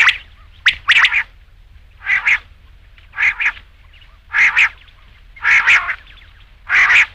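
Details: Rain quail, known locally as batair, in a hunting call recording for night: rasping doubled notes given roughly once a second, each burst a quick two-part chatter, against a quiet background.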